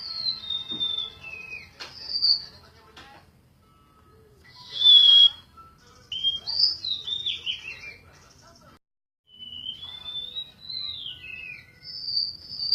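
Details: Golden-bellied gerygone song: loud, high, slurred whistles falling in steps, a bright note near the middle, and a closing wavering descending phrase, with occasional clicks and light rustle between phrases.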